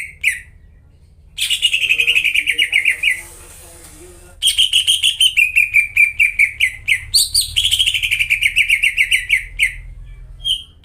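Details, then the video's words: Greater green leafbird singing vigorously, a lure to restart silent caged leafbirds: a short whistle, then a buzzy trill fading out, followed by a long fast trill broken by high slurred whistles. "PANCINGAN CUCAK IJO GACOR BUAT CUCAK IJO YANG KONSLET DAN MACET BUNYI"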